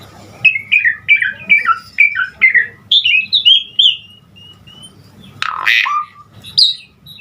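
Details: Asian pied starling giving busy imitative song aimed at getting starlings to sing: a run of quick descending whistled couplets, softer falling whistles, then a harsh rasping burst and a final high note over a faint hum.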